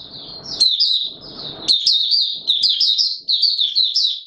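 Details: White-eye song on 20 March 2022 in warm humid weather: a continuous stream of high, quick chattering and twittered notes with slurred upward and downward slides, plus soft rustling or scratching noises in the first second and a half.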